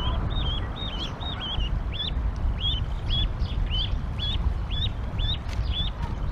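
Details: Canada goose goslings leaving their nest at Decorah, Iowa, on 28 April 2022 in rain at 37°F, with the parents calling them: likely goslings' high, thin peeps, each rising then dropping, about twice a second over a low wind rumble.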